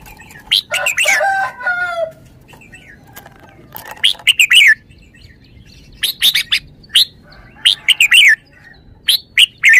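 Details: Red-whiskered bulbul song: a harsh, rasping opening followed by repeated short, sharp chirpy phrases, some rising and falling, given in irregular bursts across the clip.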